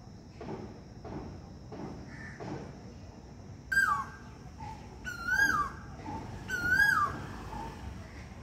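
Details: Cuckoo singing in India in summer: three loud, clear whistled notes, each rising then dipping, spaced about one and a half seconds apart. Softer, blurred background noise comes first, with a faint steady high hum throughout.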